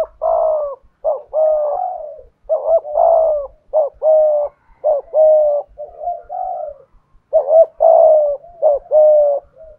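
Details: Spotted dove used as a decoy sings its 'thổ' voice, a steady run of paired coos: brief rising note then a drawn-out level coo, about a dozen notes in under ten seconds.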